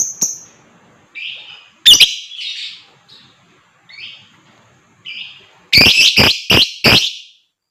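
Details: Lovebird, said to sing in the ngekek and gacor style, with sound used to get other birds singing: scattered short buzzy chirps, then a quick run of four or five harsh, loud, broadband squawks near the end.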